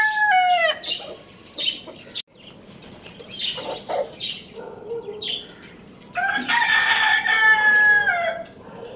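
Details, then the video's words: Morning rooster crow at Lalukhet bird market, Lohmann Brown tagged: the tail of one crow opens, then rustling and wing-flapping noises, then a second long, steady, harmonically rich crow before fading. "Rooster Crowing Sound Effect"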